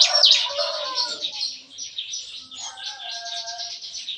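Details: Bar-winged prinias (ciblek kristal) in a breeding aviary cage on a busy morning, singing 'nembak-nembak': a fairly soft, continuous run of high, rapid, scratchy notes with fainter lower tones in the background.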